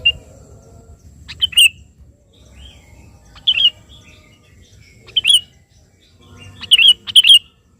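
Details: Sooty-headed bulbul singing to summon a rival, used as a lure: softer, more spaced bubbly whistled phrases, some doubled, over a noticeable low background rumble.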